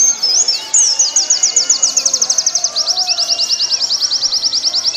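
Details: Warbling white-eye singing on a caged-bird training recording. A couple of sliding whistles open into a continuous, very fast stream of thin, high, repeated notes running to the end.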